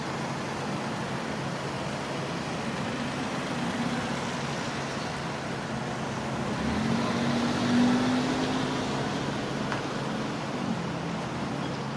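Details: Steady road traffic rumbles throughout, swelling briefly as a vehicle passes, with no animal calls to be picked out.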